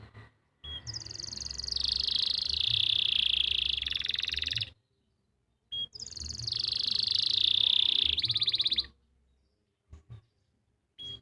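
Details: Canary training song, recorded in Pati, Central Java, meant to coax silent or young canaries into singing: two long, high, rolling trilled phrases of about four seconds each, separated by a short silence, with a faint low hum beneath.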